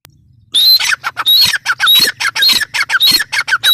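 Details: Grey francolin bursts into loud, raspy calling after a quiet start: repeated phrases of a high whistle and coarse squawks, with a faint low hum behind.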